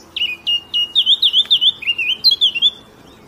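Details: Eurasian blackcap (Sylvia atricapilla) opens with a few quick, sharp notes, then breaks into a loud, clear warbling whistle that wavers up and down and ends on a higher fluty flourish.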